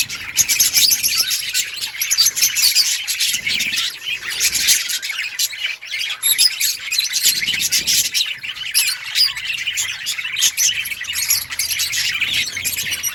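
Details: Budgerigars in a long, unbroken chorus of shrill squawks, chirps and scratchy warbles, busy and loud from start to finish with faint low noise below.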